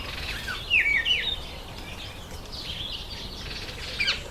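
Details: During breeding season in September and October, masked weavers give clear downslurred whistled chirps, then a stretch of soft buzzy chatter, ending with a sharp high chirp.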